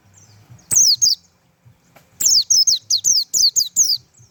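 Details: Japanese white-eye delivering a tembakan song: a quick pair of sharp, high, downslurred notes, a pause, then a run of six piercing descending whistles, with soft low clicks in the background.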